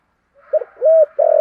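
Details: Fragment of a decoy spotted dove's 'giọng thổ' cooing from early 2023: a short soft note, then a longer level hollow coo, and another sustained coo beginning.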